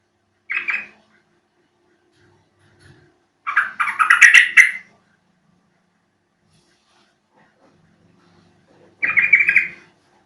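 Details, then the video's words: Lure recording of a yellow-vented bulbul for getting birds to answer; three short bursts of chattering, gurgling notes spaced by long silences. "Panggilan burung trucuk sangat jitu dijamin nyaut"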